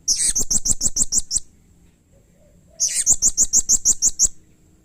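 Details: Blue-crowned hanging parrot, a caged bird calling aggressively and excitedly, provoking other hanging parrots to call back. Two rapid bursts of very high, thin, sharp notes, about eight to ten notes each, separated by a short pause.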